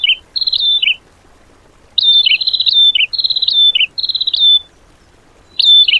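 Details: Bird song used as isian training material for cage birds, in the tembakan style: high trilled whistled phrases, each ending in a lower dip. They come in bursts, with short silent gaps between groups.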